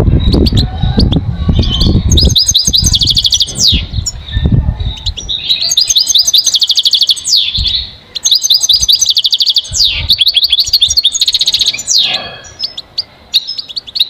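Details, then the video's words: Goldfinch singing a long, energetic sequence of tinkling trills, chatter and falling slurred notes, with heavy low-pitched noise in the first seconds. "Enjoy the beauty of the goldfinch and listen to the most beautiful motivational"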